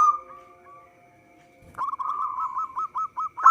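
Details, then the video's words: Local zebra dove song, used as a lure for trapping: after a faint steady tone and quiet start, a rapid run of short, clipped cooing notes follows, bubbling and stuttering for nearly two seconds and ending on a louder note. "Perkutut lokal gacor suara cocok untuk pancingan."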